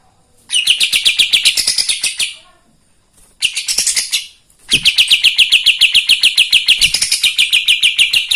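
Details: Kapas tembak singing hard, used to make other birds agitated: three bursts of rapid, bright high chipping, the last one long and continuous, separated by short silences.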